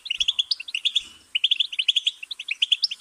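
A goldfinch sings a rapid, tinkling stream of bright twittering notes, several per second, with one short pause before the song resumes.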